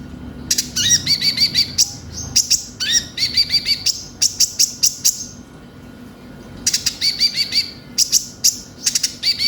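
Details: Konin, or brown-throated sunbird, in a lure recording to start young birds singing: long stretches of fast, high, chattering chips and quick upslurred notes, with a quiet pause midway.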